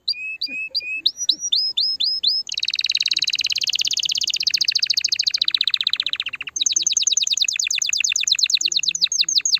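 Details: Canary song to stimulate a female: whistled swooping notes, then a long dense buzzy roll, followed by fast repeated sweeping notes in a bright trill.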